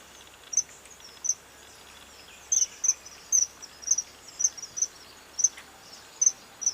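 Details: Common kingfisher calling at Medhe, Tilari: thin, shrill, very high notes given singly and in quick pairs, about a dozen across the stretch, with a faint insect hiss behind.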